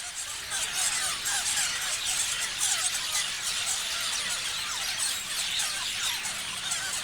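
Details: Nonstop chirping from many parrots: high, thin twitters and short squeals overlap into a shimmering, steady chorus.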